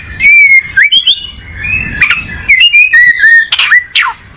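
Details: Close oriental magpie-robin, a tropical Asian songbird, giving a sustained whistled phrase followed by varied rising slurs, trills and a few rasping downward-swept notes, loud and clear.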